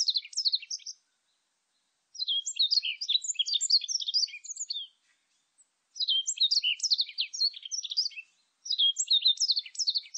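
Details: Warbling white-eye song recorded in 2020: rapid bursts of thin, high twittering notes tumbling up and down, delivered in three long jumbled phrases separated by short pauses, with a clean, quiet background.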